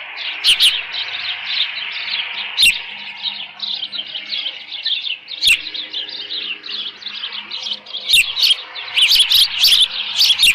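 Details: Osprey nest at a ranch, 13 June 2018 late morning, leftover fish beside the birds; a continuous thin chattering of soft high chirps builds toward louder, sharper cheeps near the end, with occasional clicks.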